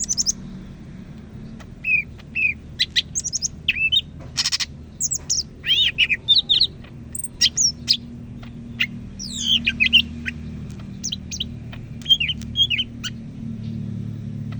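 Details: Medan greater green leafbird from North Sumatra, Indonesia, singing steadily in loud varied song: quick chirps, sweeping whistles and buzzy notes strung together in bursts, with one harsh rasping burst and a low background hum.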